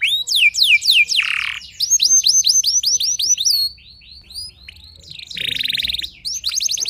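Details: Singing canary provoking rival canaries: falling whistled swoops, a harsh buzz, a run of repeated upswept whistles, softer warbling, then another raspy buzz and rising notes.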